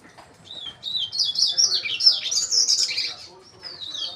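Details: Double-collared seedeater in song: a fast, bright warbling run of high whistled and trilled notes, rising and falling, sustained over about four seconds.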